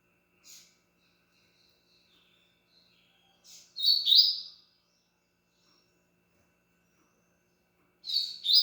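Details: Double-collared seedeater with scattered faint high notes, then a loud, quick burst of bright, slurred chirps near the middle, and a final high two-part phrase after a long silence.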